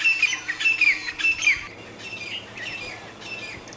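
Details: Grey francolin giving three quick, shrill descending phrases about half a second apart, followed by softer chattering from other birds in open country.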